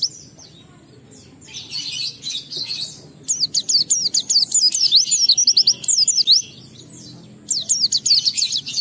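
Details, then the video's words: Fast ngalas phrases from an Oriental white-eye used as a singing lure for other white-eyes: a faint buzzy twitter, then loud runs of quick, high, slurred chirps with a pause before the last burst. "Pleci Bahan Segera Ngalas Nembak dan Bongkar isian setelah diperdengarkan pleci gacor ini"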